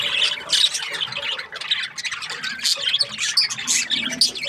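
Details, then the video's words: Budgerigars in breeding season, a flock chattering happily: dense, overlapping high chirps and squawky warbles with no pauses, rising and falling throughout. "Happy budgies chirping sounds | breeding season"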